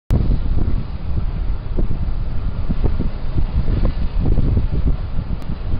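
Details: Loud, deep wind rumble pounding the microphone throughout, with no animal sounds.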